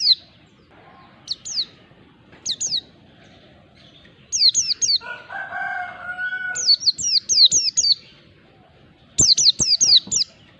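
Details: Mountain white-eye, known locally as pleci, singing in ngalas style as a lure to provoke a lazy bird. Bursts of three to five high, sharply falling whistled notes with pauses between them. A lower warbling phrase is heard midway.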